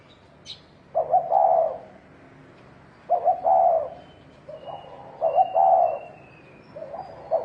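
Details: Spotted dove calling in 'thổ đồng' fighting style to provoke rivals: repeated rolling coo phrases roughly every two seconds, each a quick double lead-in and a longer warbling note, with softer short coos in between.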